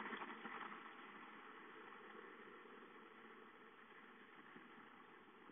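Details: Constant low rumble of an idling car engine that slowly fades a little, with no other clear sounds.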